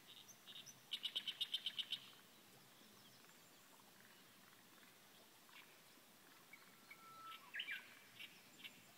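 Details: Reed warbler song: a quick run of about eight sharp, evenly spaced high notes opens, then scattered chips and short whistled notes follow after a pause, all fairly soft over a quiet natural background.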